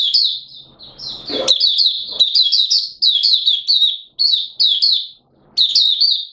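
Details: Singapore, 29 March 2023, in warm, humid weather with sudden showers: a kept Malaysian white-eye delivers long runs of high, rapid twittering notes in phrases separated by short gaps, with one brief knock near the start.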